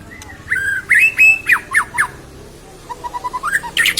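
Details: White-rumped shama, a young bird just out of its spotted juvenile plumage, singing out its full repertoire. Loud whistled phrases, some sliding, others sharply down-slurred, then a rapid string of short repeated notes that climb toward the end.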